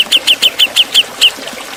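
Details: Sharp 'ngepik beset' master song of the Javan cucak jenggot, meant for training songbirds: seven bright, downward-slurred notes, evenly spaced, ending with a slightly longer final note.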